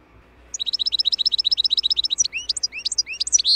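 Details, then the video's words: European goldfinch song used for training cage birds: a rapid run of bright, high twittering notes, about four per second at first, then varied tinkling trills and liquid chirps, clear over a quiet background. "Goldfinch 12h The BEST Song"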